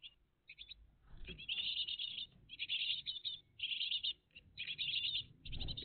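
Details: Great tit family at its nest on a morning of 20 June 2023, heard live; clustered high twittering chirps in uneven bursts, with soft low background noise and a brief thump near the end.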